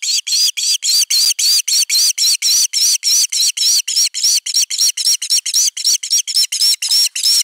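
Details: Osprey at nest camera #3, Finland, 31 August 2021, defending the nest: a loud, insistent series of high, piercing whistled notes, nearly four a second, sharp and slightly squealing, with no other sounds.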